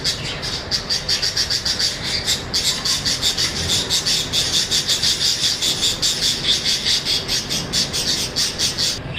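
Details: Budgerigars chatter in a steady stream of high, scratchy chirps, two or three each second, with no other clear sounds.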